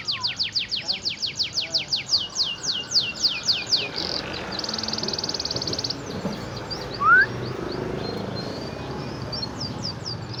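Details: Canary in full song: a quick series of loud descending sweeps, then a dense buzzy rattle, followed by quieter scattered chirps and a brief rising whistle, with faint background noise throughout.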